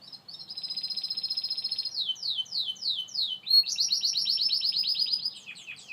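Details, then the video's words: Gloster canary song with a steady rapid trill, then four or five clear downward-sweeping whistled notes at even spacing, followed by a loud fast rolling trill that ends in scattered chirps. "Gloster Canary Bird Singing, Kanarienvogel, Énekesmadár, طائر الكناري الغناء"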